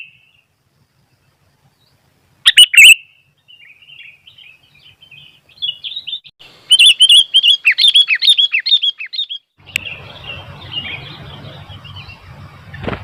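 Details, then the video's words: Sooty-headed bulbul singing hard as wild bulbuls become noisy around it: a loud chirped burst, then a run of rapid bubbly chattering notes, ending in rough broadband rustling noise. "Burung kutilang gacor ..sampai kutilang liar jadi ramai"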